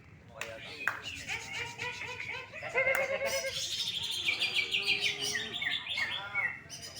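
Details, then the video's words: Greater green leafbird, a first-place contest bird in Indonesia, singing in full, fired-up form: a dense run of varied high chirps, trills and warbled notes, with another bird's lower modulated phrases and some human voices underneath. "CUCAK IJO FOLLUM PEDES MUTLAK KEBAKARAN JUARA 1"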